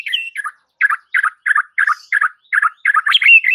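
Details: White-rumped shama provoking song for rival birds: a rhythmic series of about ten similar chattering notes, roughly three per second, ending in a clear whistled phrase.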